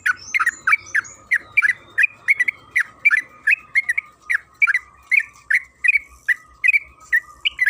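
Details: Yellow-vented bulbul (trucukan kebo) delivering long lively chatter, a lure for drawing bulbuls into song: fast regular sequence of clear, slurred notes, with thin high whistles near the start and a steady tone and low hum underneath.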